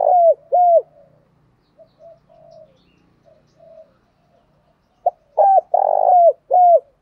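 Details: Decoy spotted dove calling to lure wild doves, in urging and calling coo styles: a pair of loud downslurred coos, soft murmured notes, then a full phrase with a short pip, a long buzzy coo and a falling coo.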